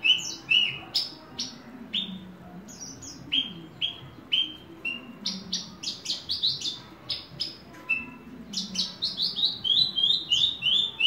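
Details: Horsfield's bush lark kept as a hobby bird, pouring out a long, varied run of quick, high chirps and slurred notes, speeding into a near-continuous twitter toward the end, over faint low hum.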